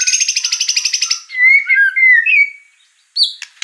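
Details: White-rumped shama performing fill-in phrases: a fast, high, rattling trill, then smooth, looping whistled slurs that fall away, a short silence and a sharp final note.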